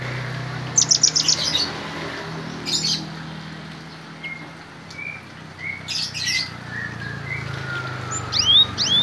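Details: Gelatik batu, the cinereous tit, singing 'gacor fighter' with a filling of bar-winged prinia (ciblek) song: quick clusters of high, sharp chirps at the start and end, with soft, spaced whistles between and a steady low hum underneath.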